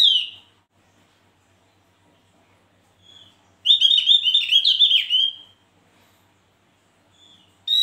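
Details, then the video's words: A Javan grey-throated white-eye in full song gives one lively, rapid twittering phrase of high, tumbling notes lasting about two seconds, with a few soft single chips before and after. "Suara burung Opior gacor Atau juga Cucak jempol"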